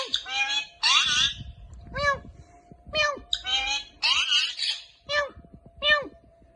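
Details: Pet Indian ringneck parakeet talking indoors, mimicking words such as Allah hoo: a series of short nasal, speech-like syllables and harsh squawky notes with a steady background tone.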